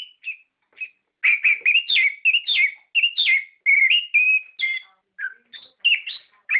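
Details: Lure song of an orange-headed thrush meant to prompt captive birds to answer: after two soft opening notes, a continuous run of loud, fluty, varied whistled phrases, each note bending up or down.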